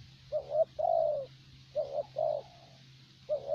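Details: Spotted dove kept as a decoy bird for luring, valued for steady calling; deep cooing phrases, a short two-part coo followed by a longer drawn-out note, repeated in pairs, with faint low hum behind.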